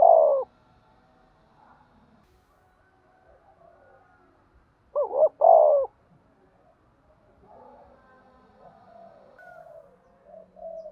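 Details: Spotted dove calling, described as being urged to fight: two short bursts of low coos, one near the start and a paired phrase midway, separated by quiet stretches with faint softer cooing in the background.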